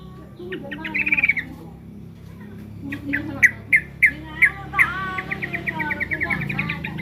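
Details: Trucukan, the sooty-headed bulbul, sounding off while threatened: a short rattling burst, a pause, then five or six loud, evenly spaced chirps and a fast closing trill over a low background hum.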